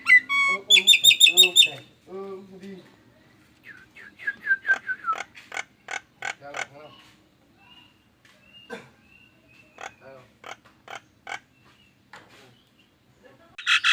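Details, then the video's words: Nias hill myna producing strange sounds likened to an anti-theft alarm; a varied run of whistles, harsh squawks and buzzy, repeated metallic notes with pauses, some phrases resembling speech-like mimicry. "JALAK NIAS BERSUARA ANEH TAPI NYATA!!! ALARAM ANTI MALING"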